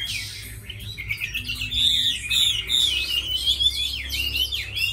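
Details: Chinese hwamei, a tame bird praised for fighting and singing well, delivering a continuous run of rich, rapidly modulated whistles, looping up and down with bright slurred notes throughout.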